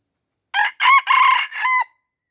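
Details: Red junglefowl from Aceh, Indonesia, surrounded by young birds and refusing to fight, gives a loud crow of four harsh, ringing syllables over about 1.3 seconds. The final note is held steady, and the background is silent.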